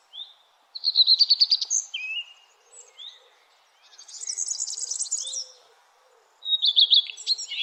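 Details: Birds chirping at sunrise in the early morning: bursts of high, rapid trilled phrases, some buzzy and some whistled, separated by short pauses, with a faint low hum beneath.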